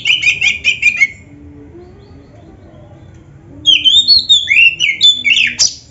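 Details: Oriental magpie-robin in lively, varied song, played for training caged birds: a rapid run of repeated whistled notes near the start, a pause, then sweeping, rising and falling whistles and trills; faint low background hum throughout.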